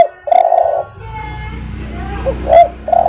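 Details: A spotted dove's soft-voiced song, used to train other birds. One long mellow coo is followed after a pause by a short upslur and the start of another coo, over a low steady hum.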